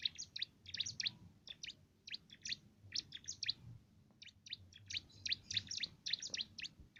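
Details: Bar-winged prinia (cimblek) singing its canary-style tutoring song for contest birds: bursts of high, crisp chirps repeated almost without pause across several seconds.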